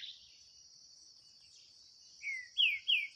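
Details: Green-winged saltator in a 2023 singing contest between a kept bird and a wild one in the bush: three loud, slurred whistles sliding downward, the last two strongest, over a steady high insect drone.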